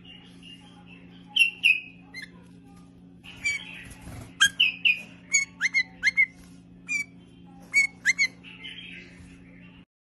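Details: Bulbul delivering a lively series of sharp, high chirps and slurred whistled notes in quick clusters, some harsh and squawky, against a constant low mechanical hum that stops abruptly at the end.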